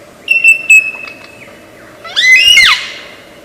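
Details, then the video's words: Lyrebird, an Australian forest mimic, giving a steady thin whistle with two clicks, then a loud harsh rising-and-falling squeal after two seconds. "Lyre Bird Burung 1001 Suara"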